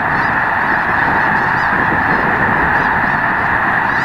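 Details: Continuous din from an enormous Snow Goose flock, more than a million birds, at Loess Bluffs National Wildlife Refuge, 21 February 2020; countless honks merge into one steady roar, with faint higher yelps on top.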